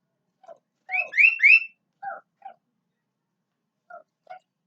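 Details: Sooty-headed bulbul, natural song: a loud phrase of three liquid rising whistles, followed by scattered soft lower chips and pauses.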